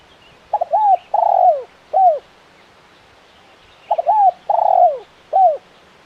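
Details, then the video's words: Spotted dove, called tekukur, cooing: two mellow low phrases about three seconds apart, each a quick double note, a longer drawn coo and a short final coo, over a faint quiet background. "Suara Burung Tekukur Gacor KUK 1 Mersik"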